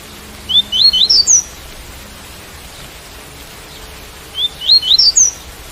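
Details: Double-collared seedeater giving its tui-tui song against rain noise: two matching phrases about four seconds apart, each a quick run of five or six upward-slurred whistles climbing in pitch, with steady rain-like hiss throughout.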